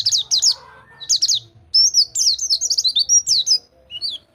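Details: A white-eye sings as tutoring for a silent caged bird: paired sharp slurred notes, then a quick warbling sequence of high whistled chirps rising and falling, ending with a soft single note.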